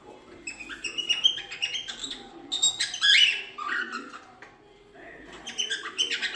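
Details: Cockatiel being taught to sing: bursts of mixed chirps and bright whistled notes, some rising and falling, loudest around the middle, with softer chatter between phrases.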